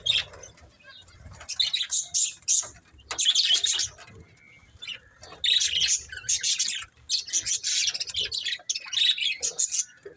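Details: Budgie chirping comes in separate loud bursts of buzzy twitter and squawks, with calmer moments and a brief clear whistle between them.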